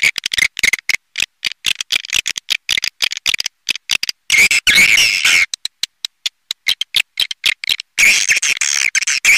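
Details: Pancawarna-style lure call for attracting edible-nest swiftlets: fast, stuttering high chirps in short gated bursts, with two denser buzzy stretches of twittering near the middle and end.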